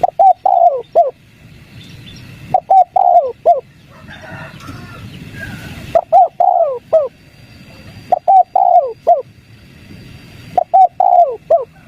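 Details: Spotted dove, 'kuk 3' lure call played to draw wild doves into answering: mellow hooting phrases of two short coos, a longer falling coo and a final clipped note, repeated about every two and a half seconds over low background rumble.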